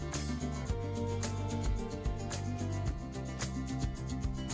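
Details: Steady instrumental music with rhythmic rubbing and rasping strokes throughout; no animal calls are heard.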